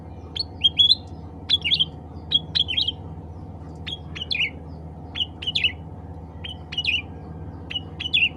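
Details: Cucak ranting bulbul calling others of its kind with bright clipped chirps, often in quick pairs or triplets, spaced at irregular intervals above a constant low background drone.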